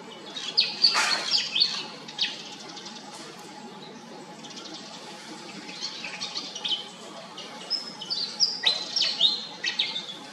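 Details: Pied fantail calls: clusters of thin, high squeaky chips and brief whistles, a lively burst at the start and another near the end, a quieter stretch between, and a faint steady low hum throughout.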